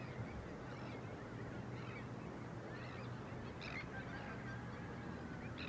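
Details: Slender-billed gulls at Thessaloniki, Greece, in April 2024, give a few nasal, honking calls at irregular intervals over a steady low rumble of wind or colony noise.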